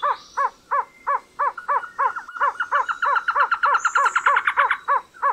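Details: Trogon, a long-tailed bird of tropical forest in South and Central America, giving a steady series of short, hollow, down-slurred notes about three per second, with a second bird's faster overlapping series building in the middle.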